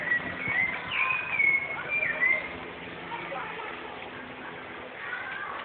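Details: Rufous-bellied thrush singing in Osasco, São Paulo, Brazil, on 14 November 2014: a run of clear whistled phrases, some sliding up and down, crowded into the first seconds, then softer notes, with low murmuring voices and urban background noise.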